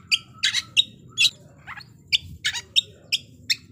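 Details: White-rumped shama song meant to make rival birds aggressive, heard as bright, buzzy high chirps and squeaky notes in separate bursts against a faint low hum.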